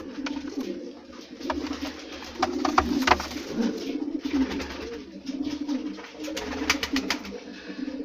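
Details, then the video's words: A white pigeon cooing indoors, low rolling coos running on and off through the clip, mixed with clicks, rustling and other room noise. "White Pigeon"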